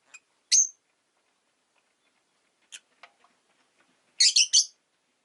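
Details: A single bright chirp from caged rosy-faced lovebirds, part of a flock of five by a window in winter. A quiet stretch follows, then a quick cluster of four harsh, high chirps.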